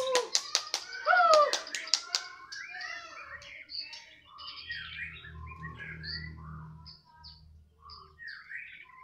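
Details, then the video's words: White-rumped shama (murai batu) from Medan in the afternoon: loud clicking taps and a bright slurred whistle at first, then a scattered series of varied short chirps and twitters over a low rumble. "Lagi pantau mb MEDAN,, di sore hari,,"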